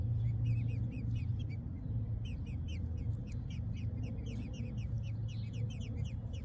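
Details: American robin nestlings being fed by a parent give rapid, high, thin peeps, about four a second in jittery bursts, over a steady low rumble.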